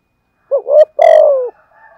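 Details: One thúc gù phrase from a decoy spotted dove in giọng thổ style: a wavering, hooked lead-in note, then a loud, rasping coo that slides gently downward, followed by faint soft notes.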